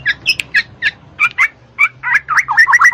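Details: Black-naped oriole song meant to stimulate idle birds to sing: spaced hooked chirps, then a quickening series of looping whistled notes repeated several times per second near the end.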